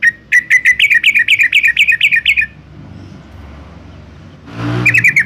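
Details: A Yellow-vented bulbul in Semarang, Central Java, sings a quick run of about a dozen bright, bubbly chirps, then a pause with faint traffic hum and a short final burst over a rustle; used to lure other bulbuls into singing.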